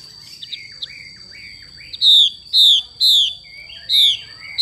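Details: A female Chinese hwamei gives soft, scattered chirps, then strong harsh descending notes, four of them about half a second apart. The xùy call is heard over a steady faint high whine.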